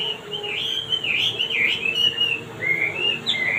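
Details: Male wambi with a sweet voice giving a continuous warbled whistle that wavers up and down, dips and recovers, then ends in short rising and falling phrases.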